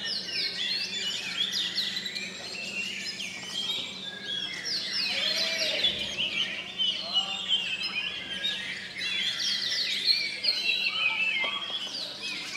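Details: Several oriental magpie-robins in the final class of a singing contest in Sri Aman, Sarawak, Malaysia, sing at once: rich, varied whistles and chattering phrases overlapping continuously, over a low steady hum.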